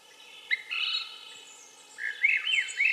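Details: Swainson's thrush giving short bursts of its song: one brief whistled phrase, a pause, then a rising series of liquid, flute-like notes spiraling upward.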